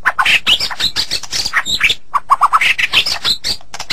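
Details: White-rumped shama (murai batu) singing on a masteran recording: a busy, nearly continuous stream of harsh rasping phrases, sharp chirps and short whistles, with a brief pause midway before another fast run of notes.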